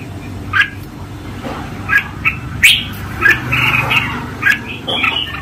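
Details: Red-whiskered bulbul master song for training, heard softer and more distant: scattered short whistled notes and brief slurred phrases over a steady low rumble.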